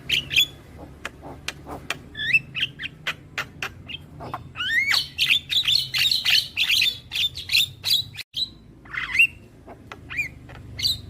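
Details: Javan myna singing, played to young birds to make them vocal; clicks and rising whistles lead into a long buzzy chattering trill, then more clicks and slurred whistles after a short pause.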